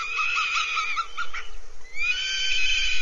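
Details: Northern goshawk calling at the nest, Abernethy Forest, Scotland, 3 July 2022. A harsh, wavering wail breaks into short choppy notes, then a fresh rising cry follows.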